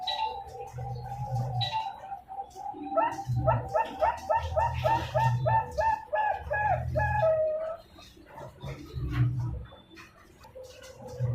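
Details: Young caged zebra dove, two months old, hatched 14 November 2021, from a bird farm in Pasuruan, East Java, Indonesia, singing a run of rapid, rolling, mellow coos in fast pulsed phrases, with low hum and room noise underneath.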